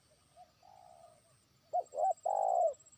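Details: Trained decoy spotted dove calling to a distant rival: faint low cooing at first, then a loud phrase of two short rising coos followed by a longer drawn-out coo.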